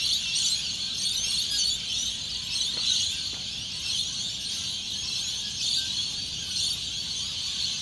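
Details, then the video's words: A dense chorus of noisy Australian lorikeets in Australia as the supermoon set, 21 March 2019: many shrill, screeching calls overlapping into a continuous high-pitched wash, with a faint low rumble beneath. "SETTING TO A CHORUS OF AUSTRALIAN LORIKEETS"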